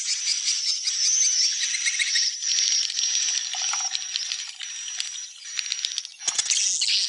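Swiftlets twitter in a dense, high, buzzy chatter of rapid chirps, with a thin steady whistle running through, and no other clear sounds.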